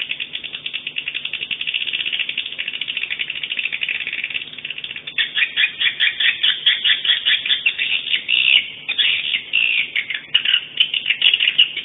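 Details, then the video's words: Swiftlet sound from day 2 of a 2017 swiftlet sound tournament, "50 kisses" style: continuous high buzzy twitter at first, then after five seconds louder staccato chirps grouped in fast irregular runs. "SWIFTLET SOUND TOURNAMENT 2017 Day 2 50 kisses"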